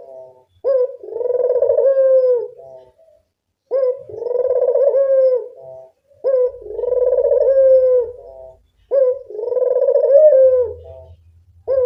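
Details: Local Barbary dove lure call used to draw other doves: rolling, purring coos, each a short rising note followed by a long vibrating phrase, repeated about every three seconds, with a faint low hum at times.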